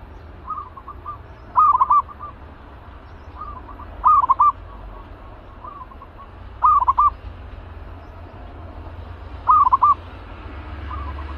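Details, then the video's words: An aggressive caged zebra dove, ready for trap training, gives short, stuttering, bubbly coos about every two and a half seconds, with softer answering coos between over a low background hum. "Naik Lagi Merbuk Galak Sangkar"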